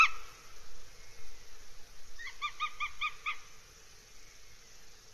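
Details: Northern goshawk at its nest in RSPB Abernethy Forest, Scotland, on 3 July 2022: a brief run of about six evenly spaced, harsh, nasal notes in the middle, over a faint low rumble.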